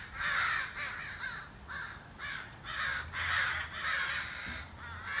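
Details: Crows outside a back door trade harsh, rasping caws in bursts of two and three, with brief quiet gaps between.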